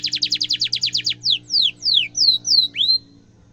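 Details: Canary song used as a tutor for young canaries: a crisp fast trill of high notes, then slower descending slurs and rising swoops, with a low steady hum underneath.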